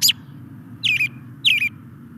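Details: Male American Robin giving three brief, bright, down-slurred whistled phrases in two seconds against a steady low background hum.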